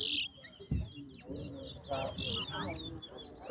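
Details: Singing-competition chestnut-bellied seed finch, the towa towa: bright twittering bursts of rapid rising and falling whistles, interrupted by thumps and a man counting numbers aloud.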